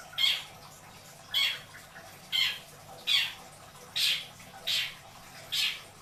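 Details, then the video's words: Long-tailed shrike kept as a pet in Indramayu: harsh, rasping calls repeated roughly once a second, seven in all, over steady low background noise. "Burung cendet isian dor... beledos"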